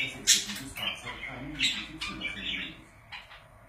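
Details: Pet budgerigar giving a sharp high chirp followed by softer scratchy warbling notes that taper off into quiet.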